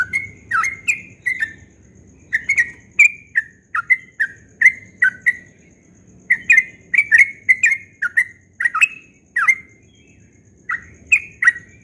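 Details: Yellow-vented bulbul in fast ropel-style dawn song. Clear, loud chirped notes come in uneven bursts separated by short gaps, some doubled, with rising and falling slurs and almost no background noise.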